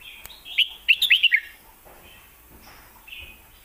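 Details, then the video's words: Red-whiskered bulbul kept as a caged songbird in Thailand, performing 'lak wai' and southern 'mae bot' style song: a quick run of six loud, bright whistled notes, followed by quieter distant bulbul phrases. "ลากหวายVSแม่บท(Bulbul bird Thailand)"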